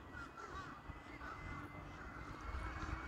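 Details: Black swans during courtship and mating give soft, wavering bugled notes several times in quick succession over low rumbling wind or water noise and a faint steady whine.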